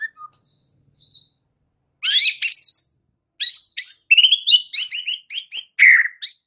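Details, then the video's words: White-rumped shama song used as a tutor recording for stressed birds: short faint notes, then a dense burst of high harsh chips and a run of varied whistled and buzzy phrases, some repeated in quick series. "MASTERAN untuk Murai Batu Stress , dijmain langsung SEMBUH plus GACOR seketika"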